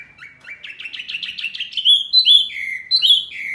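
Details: Noisy small Wambi bird, said to provoke other birds: a quick run of slurred chirps that climbs steadily in pitch, ending in loud, high, clear whistled notes with short pauses between them.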